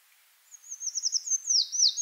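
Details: Eurasian treecreeper in the Wittlich valley delivering a thin, very high trill that starts faintly, grows louder and faster, then ends in downward-slurred flourishes.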